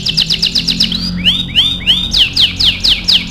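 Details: Canary singing a training song: a quick high chattering trill, then several loud downward-curving whistled notes repeated roughly twice per second, over a faint low hum.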